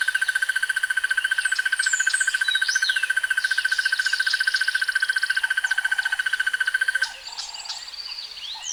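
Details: Crested barbet giving a long, fast, evenly pulsed trill, rough and mechanical like a buzzing insect, held steadily for about seven seconds before it stops abruptly, while other birds chirp and whistle higher up in the background.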